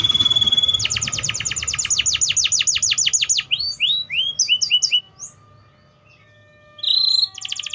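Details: Song of an Atlantic canary: a brief high trill, then a long run of rapid descending sweeps, rising chirped notes, a quiet gap and a final buzzy roll.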